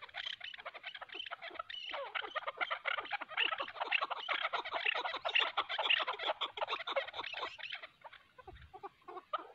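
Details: Chukar partridges, a hunting decoy and a wild mountain bird, fighting; dense rapid chattering of harsh clucking notes, many overlapping, running almost continuously for eight seconds before fading.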